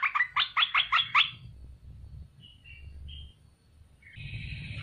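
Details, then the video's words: Olive-winged bulbul, a wild-caught bird kept for three months, giving a loud lure song meant to make other bulbuls answer: a quick run of six rich, bubbly repeated notes, then short thin whistles and a sustained buzzy note. "Merbah belukar gacor,merbah belukar mata merah mp3"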